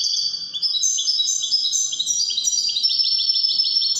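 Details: European goldfinch of the Wydani type singing: a continuous rapid twittering of bright, high, tinkling notes and short trills, with rising and falling phrases run together for four seconds.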